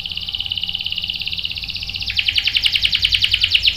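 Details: Canary song: an even high rattling trill that switches to a louder, faster, bright pulsed roll halfway through.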